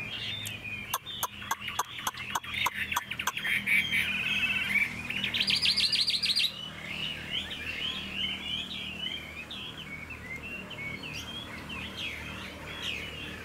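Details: Singing caged Chinese hwamei, a tail-fanning fighting bird. A series of sharp clicks opens, then the bird runs into a rapid high buzzy trill and continues with a long chattering stream of varied warbled notes.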